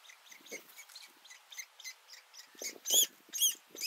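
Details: Woodpecker nestlings, at the nest, poking their heads out for the first time to be fed: rapid, high, thin chirps repeated about twice a second, growing louder and harsher toward the end, with fainter lower notes underneath.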